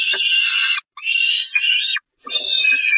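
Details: Peregrine falcon young at the Catharinakerk church nest on 5 May 2021, hungry and attacking their mother as she flees: loud, rough, broad screeching wails, each near a second, in close succession with short gaps.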